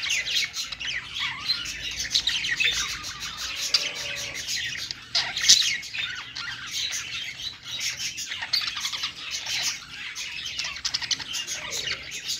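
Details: Several pet budgerigars warbling on a perch, an unbroken stream of high twittering, squeaky notes and short chirps that rises and dips in loudness.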